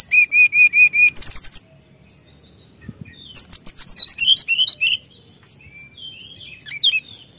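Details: Energetic song of a brown-chested jungle flycatcher aimed at provoking rivals: six evenly spaced clear whistled notes, a short buzzy burst, silence, then a long varied torrent of quick chirps, slurs and twitters fading into scattered high notes.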